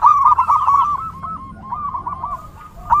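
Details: Zebra dove song, recorded for training and luring perkutut, with a dense, hurried trill of rolling coos that softens and slows toward the end before a loud final note.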